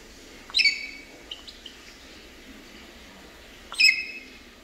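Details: Three-week-old boat-billed heron chicks at Prague Zoo, 22 September, give two sharp, high, squeaky calls about three seconds apart, with a few fainter chirps between over a soft background hiss.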